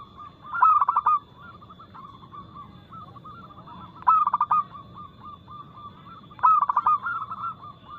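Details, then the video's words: Local zebra dove singing a fast, loud, crystal-clear song meant to stir caged doves into cooing. Three loud stuttering coo phrases come roughly every three seconds above a continuous chorus of gentler cooing. "PERKUTUT LOKAL GACOR Nada cepat Suara keras kristal"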